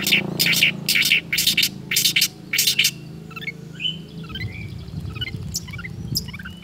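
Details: Energetic long-tailed shrike mimicking other birds, pouring out five loud, harsh, rasping bursts in quick succession, followed by softer scattered twittering and thin whistled notes.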